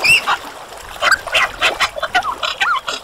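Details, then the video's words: Superb lyrebird song, a jumble of short varied notes: harsh squawky bursts mixed with a few clear whistled slurs and wavering tones, delivered at an irregular quick pace. "Lyrebird Song"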